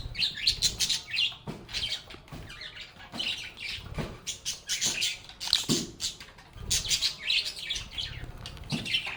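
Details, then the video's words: Group of lovebirds chattering and singing together: rapid, continuous high-pitched chirps and squeaky twitters rising and falling in waves, punctuated by occasional sharp clicks and taps. "Lovebirds agapornis sounds | Relaxing Sounds of Singing, Playing, and Talking Parakeets"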